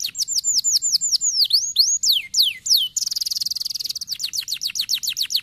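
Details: Stimulating canary song for silent canaries: repeated downward-curving whistled notes and deeper swooping slurs for three seconds, followed by a fast rattling trill and a string of quick falling chirps.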